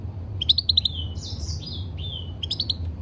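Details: Caged European goldfinch singing a quick run of tinkling chirps, then sliding buzzy whistles and a final burst of liquid twitters, delivered rapidly over a faint low hum.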